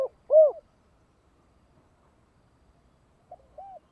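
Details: Spotted dove giving the thổ đồng style call used to lure wild doves: one loud, short, hollow coo at the start, a long silence, then two softer coos near the end.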